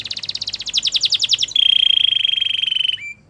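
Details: Belgian canary voice for canary training: a rapid chattering trill shifts into a long steady high piping roll, ending with a short upslurred note.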